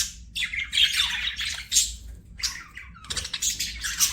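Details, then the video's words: Budgerigar chirping in scratchy bursts with a couple of brief whistled notes, quieter overall, separated by short pauses over low hum. "BUDGIE CHIRPING SOUNDS"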